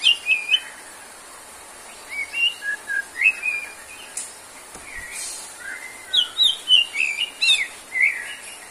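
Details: White-rumped shama in lively song for a stamina-therapy session: a quiet start, then chains of short whistled and chirping notes, some sweeping upward, running in quick clusters.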